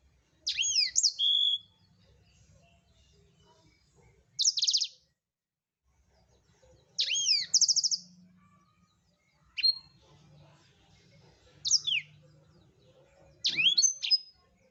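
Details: Energetic Blackthroat song used to tutor cage birds: six short, high phrases spaced two to three seconds apart, each a quick slurred whistle or buzzy burst, over a faint low hum.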